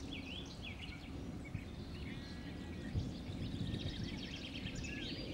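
A linnet's fast, twittering song of sweet, varied chirps and trills runs throughout, partly masked by a steady low rumble of wind or distant noise.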